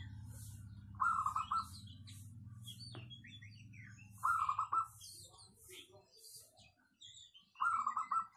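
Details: A local zebra dove with a dense 'crystal' voice, used as a lure bird, sings three bouncing phrases of rapid coos about three seconds apart. Busy chirping from other small birds and a sharp click are heard between them.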